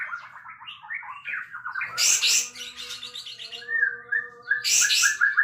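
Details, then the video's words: A sooty-headed bulbul singing hard with its tail spread. It gives quick bubbling warbles, then clear fluty notes in a steady run, overlaid by two loud, broad hissing bursts. "Suara Kencang Beset Kapas Tembak"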